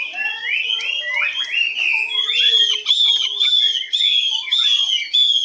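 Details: Caged hwamei, reported as 85% tame, singing high with long phrases. Rolling whistled notes give way to a long, steady ringing whistle broken by short sharp notes, loud and sustained.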